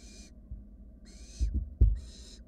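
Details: Barn owl chicks in a wild nest box as a sibling works to swallow a rat: three breathy, broadband snoring hisses, each under half a second, separated by pauses, with soft bumping and shuffling underneath.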